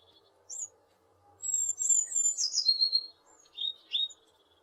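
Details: A tit recorded in western Poland gives thin, high notes: a single short chirp, then a run of quick slurred and descending phrases, ending with two sharper notes; no other sounds intrude.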